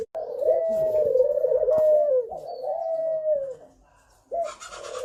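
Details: Thổ pháp style song of a spotted dove, a lure to provoke young birds, males and females: one drawn-out, low, throaty coo that wavers and falls, then silence and the start of another.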